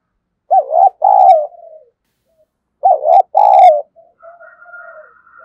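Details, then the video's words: Spotted dove kept as a decoy, calling to lure wild birds: two loud, deep two-part coo phrases about two and a half seconds apart, each trailing into softer low notes. "Chim Cu Mồi Thúc Gù + Gáy Gọi"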